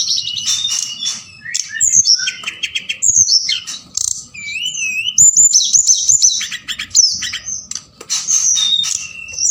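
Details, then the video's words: Forktail lure sound at night to rouse other birds into calling; a long, busy series of shrill whistles, looping slurs and buzzy trills in bursts separated by brief gaps. "Tledekan Gunung Gacor Malam || Suara Pancingan"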